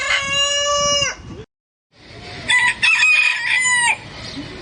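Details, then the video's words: Loud rooster crow ending with a falling held note, a sudden silent break, then a second strained crow with shifting pitch and a long sustained final note. "Rooster Crowing"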